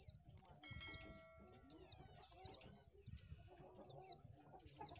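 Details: Oriental white-eye song used to lure birds: high, thin descending whistled phrases repeated roughly every second, over a background of low rumbling noise and faint other sounds.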